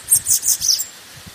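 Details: Bananaquit song used to warm up birds: a rapid run of very high, sibilant, twittering notes lasting under a second, with faint low rustling underneath.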